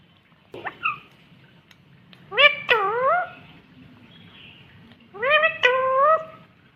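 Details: Indian ringneck green parrot talking: a faint short note, then two loud harmonic phrases that rise and then fall, over a low background hum.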